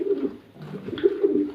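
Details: Pigeons kept on a farm at Bhawal Mirzapur, Gazipur, giving low, throaty coos in short uneven bursts. The coos rise and fall through the clip, with a brief lull in the middle. The recording sounds like it was made in a small enclosed room.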